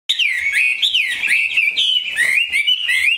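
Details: Caged Chinese hwamei, a sale bird with a three-colour pattern, singing a loud, continuous run of rich whistled phrases that slide up and down, with quick sweeping notes strung together without pause.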